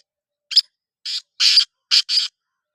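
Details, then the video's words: Black francolin giving a harsh, grating phrase of five buzzy, rasping notes: a short opening note, then longer scratchy notes, the final two run close together; no other sounds. "Kala Teetar ki awaz | Black Frankoline Voice | Kala Teetar voice | کالا تیتر کی آواز"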